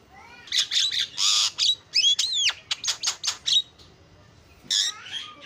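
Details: Javan myna rattling off rapid harsh notes and arched whistles about two to three per second, then a pause and one last rasping burst, an isian-style song.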